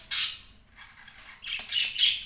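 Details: A cockatiel gives a harsh, high screech, then about a second later a quick run of three shrill chirping squawks, in a small quiet room.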